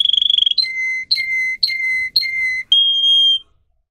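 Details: Russian song canary, recorded as a tutor for other canaries, finishes a rapid trill, then gives four flute-like level whistles, each beginning with a sharp click, and closes on one higher sustained tone.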